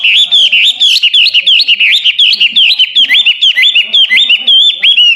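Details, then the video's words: Hwamei song in a fast, chatty mood, used to tutor competition birds: a long run of quick repeated check-shaped whistles, each dropping then rising, delivered loudly and almost without pause. "Wambi HWAMEI gacor!! Masteran burung Juara"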